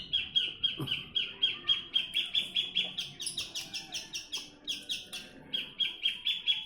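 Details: Javan bush lark from Jombang, East Java, Indonesia, singing energetically, used for training other birds; rapid series of sharp repeated chirps around a steady high pitch, roughly four per second, with brief varied buzzy phrases.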